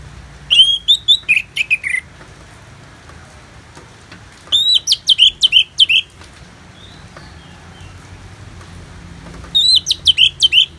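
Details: Clear ngeplong song of an orange-headed thrush with natural rain sounds as therapy: three bursts of rapid, sharply inflected whistled notes, each about one and a half seconds long, separated by pauses of roughly two and a half seconds.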